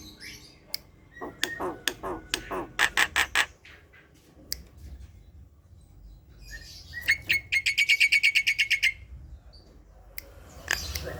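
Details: Javan myna (jalak kebo) at home in the morning, singing vigorously: scattered clicks and a burst of harsh stacked notes, a pause, then a fast series of about twelve sharp squawky notes, with low background hum.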